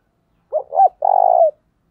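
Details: Spotted dove calling for training newly caught birds, two short swelling coos followed by one long, throbbing coo that falls away at the close.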